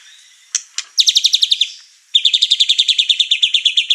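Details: Excited white-rumped shama unloading its repertoire and riling up the household birds. Two sharp clicks precede a quick descending trill, then after a short gap a long, steady series of about fifteen bright, evenly repeated notes.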